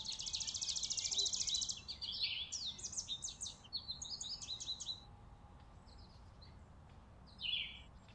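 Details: Chickadees feeding on a porch in winter, December 2022: a rapid buzzy burst opens the clip, then a flurry of high chips that thins out into sparse notes toward the end.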